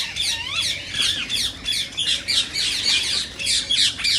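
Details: Rose-ringed parakeet sound for stimulating singing and mating: a brisk series of shrill, scratchy squawks, about three per second, with a brief lower whistle near the start.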